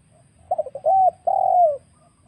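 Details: Wild spotted dove call used as a trapping lure: one phrase of a few short stuttering coos, then two longer, loud, level coos, the last slurring downward at the end, over a faint low hum.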